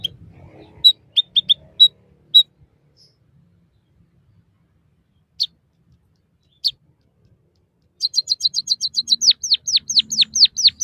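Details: White-headed munia, known locally as bondol haji, in song used for training caged birds. Scattered short chirps and isolated notes lead into a fast chirp run, then a series of steeply falling whistled slurs.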